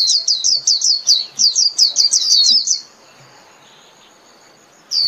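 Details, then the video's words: A white-eye singing to gather its flock: a steady string of about fifteen quick, high, falling chirps in under three seconds, then silence, and one note returning at the end. "Chim Vành Khuyên (Chim Khuyên) hót gọi bầy"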